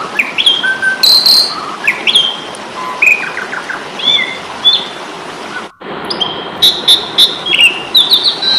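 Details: Asian pied starling in fighting mood, a training recording for cage birds: varied clear whistled notes, some rising and some falling, mixed with harsh rasping bursts, over a steady hiss, with a brief break partway through.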